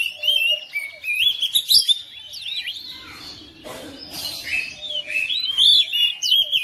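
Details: Household oriental magpie-robin answering another bird within seconds, singing loud, varied whistled phrases with rising and falling sweeps and quick chirps in bursts, a short pause midway filled with a faint broadband rustle.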